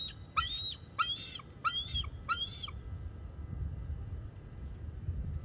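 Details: Female bald eagle at her nest in November, driving off an intruding male floater: four quick, high, ringing chattered notes at even spacing, then low wind rumble only.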